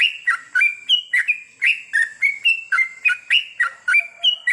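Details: Sooty-headed bulbul singing at night, a therapy recording meant to prompt long goklik song: unbroken run of bright, bubbly whistled notes stepping up and down, roughly three or four each second, with a faint steady high tone.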